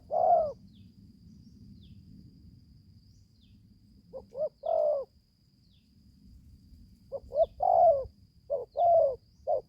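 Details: Young spotted dove that has just begun calling, taken to the forest for training for the first time: scattered bursts of soft low coos, short notes paired with longer slurred ones, with quiet pauses and a thin constant high tone.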